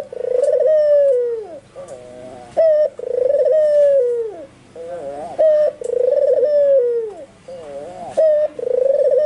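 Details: Albino white Barbary dove in full, vigorous voice: a steady series of rolling coos, each opening with a brief bright note, trilling, then drawing out and dropping in pitch, repeated roughly every three seconds.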